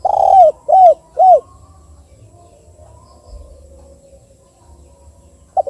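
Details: Spotted dove, KUK 2 call type used as a lure: three low, hollow arched coos at the start, followed by about four seconds of quiet and the onset of another note at the end.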